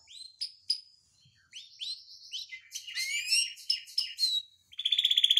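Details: Canary song from a tutor recording for prompting other canaries: bright chirps and whistled rising slurs, a jumble of quick varied notes, then a short tight pulsed trill at the end.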